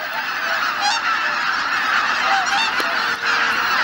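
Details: Cloudy dawn at Izunuma marsh in Japan, where geese collected at Shishibana. Clear close honks, some with a yelping, wavering quality, repeated over a continuous roar of many more birds.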